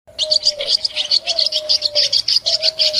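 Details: Swiftlets in a village, giving dense, high, buzzy chirps repeated several times a second in an unbroken twittering stream, over a steady low hum that slides slightly in pitch.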